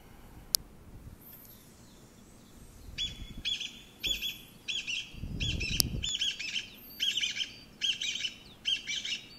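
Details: Chinese bamboo partridge, a relative of the pheasant, whose song is rendered in Japanese as 'chotto koi' (come here a moment): a loud series of short, shrill, clipped phrases repeated about once a second, rising in energy, with rustling background noise.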